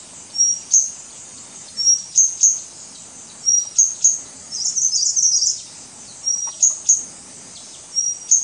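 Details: Calls of a White-gorgeted Flycatcher (leucops) recorded 24 March 2017 at Doi Ang Khang, Thailand: sharp high ticks paired with thin whistles, a short scratchy chatter midway, over a steady high-pitched insect drone.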